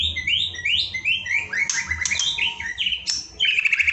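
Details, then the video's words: White-rumped shama song used as an evening training recording: a rich run of clear whistled phrases, some rising and some falling, mixed with quick buzzy trills and sharp chips. It ends in a dense warbled burst, with a faint low hum underneath. "Ajakan Masteran Murai Batu untuk Mengoptimalkan Suara saat Sore Hari"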